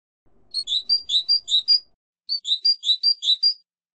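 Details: European goldfinch song for silvestrismo: the same lively phrase of about seven alternating bright whistled and slurred chirps sung twice, with a half-second pause between the two renditions, in an otherwise quiet setting.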